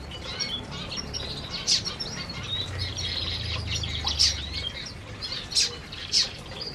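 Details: Aviary canaries feeding. Scattered high twitters and a few loud sharp chirps sound over a low rumbling background hum.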